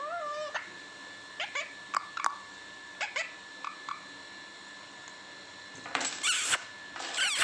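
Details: Talking pet parrot indoors producing faint whistled, wavering and rising tonal notes over a steady background hum, followed by two louder harsh, broadband calls near the end.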